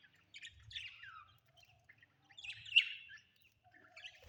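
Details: Household budgerigars make scattered chirps and a falling whistled note, then a louder burst of scratchy chatter, with quiet gaps between calls.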